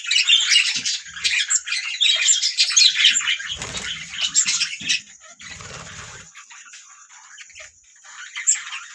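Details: Budgerigars singing in a flock: loud, busy warbled chatter and scratchy chirps for the first four seconds, then quieter scattered twitters with a few low thuds and clicks, ending with one louder squeaky phrase.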